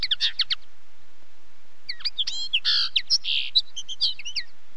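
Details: Common linnet singing: a short burst of rapid chirps, then after a pause a varied run of twittering, buzzy and trilled notes with quick rising and falling whistles, sounding clean against a quiet background.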